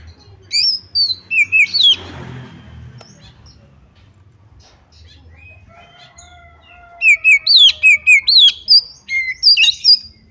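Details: Female Oriental magpie-robin giving calls meant to draw other magpie-robins into loud singing: a short burst of sharp whistled notes, a pause with soft thin tones, then a rapid run of about a dozen bright, slurred whistles.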